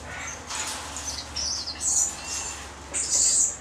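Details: Josephine's lorikeet (Charmosyna josefinae), a captive bird recorded 24 August 2012, giving thin, shrill squeaks in quick bursts, about six short notes in under four seconds, over a faint low hum.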